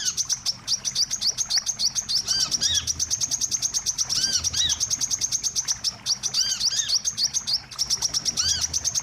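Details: Lure recording of the wiceh, used to trap birds: a relentless stream of thin, high chirps with scattered stronger curved notes and a couple of short gaps.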